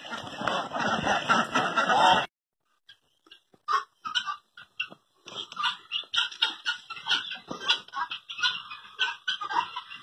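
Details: Helmeted guineafowl in Pakistan give harsh, grating calls in quick, uneven bursts after a short loud opening noise.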